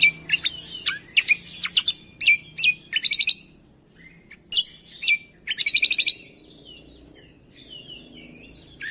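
A leafbird pours out rapid bursts of high, sharp chattering and whistled notes in two lively runs, then softer twittering warbles; no other sounds.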